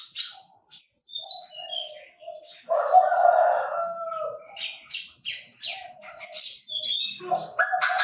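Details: Chinese francolin: a short grating note comes first. A loud, harsh, buzzy burst of about one and a half seconds follows, then softer rasping notes. Many thin high chirps and whistles from other birds surround the call.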